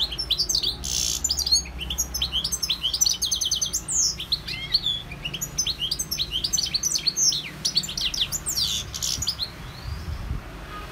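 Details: Goldfinch singing continuously: a lively, tumbling medley of tinkling chirps, short trills and buzzy slurred notes, nearly unbroken for ten seconds, with a faint low background hum.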